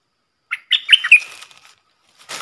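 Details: Caged red-whiskered bulbul decoy singing a three-part song with rapid flourishes, used to teach young birds and lure wild ones: a short run of clear, warbled whistles sliding down at the end, followed by a brief rustling burst.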